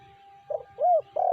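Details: Spotted dove (tekukur, BL type) giving short cooing notes: a muffled first note, an arched clear coo and a long loud final coo, with a constant thin background tone.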